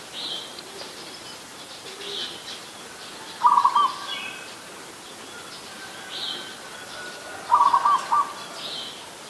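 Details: Adult zebra dove recorded 24 December 2020 in Ubon Ratchathani, Thailand: two short rolling, staccato coo phrases spaced about four seconds apart, over a background of faint high twittering from other birds.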